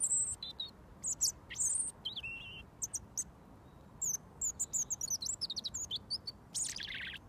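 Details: A wild robin, fed mealworms daily and called in by a whistle, sings from about a foot away while awaiting food: high, thin, warbling phrases of sliding whistles and quick trills with brief pauses, ending in a fast rattling burst, in quiet surroundings.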